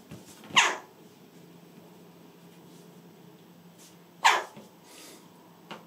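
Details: Young rescued Western jackdaw, about three months old, indoors in July 2019, calling while holding something stored in its beak: two loud, harsh, short calls about 3.7 seconds apart over a quiet room background.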